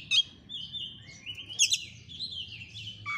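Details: Continuous rambling Oriental magpie-robin song, used to make a quiet bird answer a rival: flowing whistled warbles with a few sharp high notes, set against steady low background noise.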